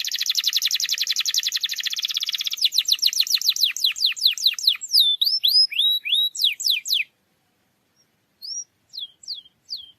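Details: Canary song used as a lure to get a quiet canary singing: a dense, buzzy rapid trill gives way to slower sweeping notes and upslurred whistles, then stops, leaving a few scattered chirps.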